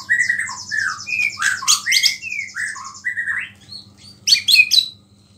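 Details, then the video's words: White-rumped shama singing vigorously with a small-bird fill, its song said to provoke other shamas; rich whistled phrases sliding between low and high notes, mixed with a fast buzzy trill held high above and sharp chattering bursts. "MURAI BATU GACOR ISIAN BURUNG KECIL"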